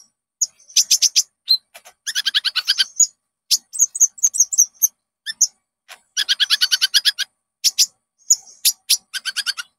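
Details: Common Iora (konin) singing as a lure for caged birds: dense, buzzy rattles of rapid notes alternate with sharp chirps and short whistles, in quiet surroundings.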